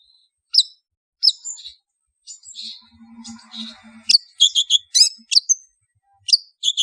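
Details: Long-tailed shrike calls used as a lure to draw birds together: sharp, harsh chirps and short buzzy notes in scattered bursts, with a brief low rattling murmur in the middle and faint low tones underneath.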